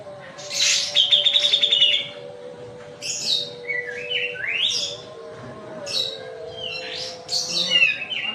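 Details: Kapas tembak white-eye from Medan in rapid rolling song, opening with a fast rattling trill, then clusters of high chirps and steep upward whistled sweeps, over a constant low hum.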